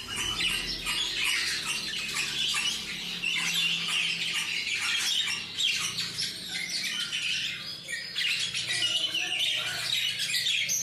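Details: A flock of parakeets producing a dense, continuous wall of overlapping chirps, squawks and warbles, with no pauses and a low steady hum beneath.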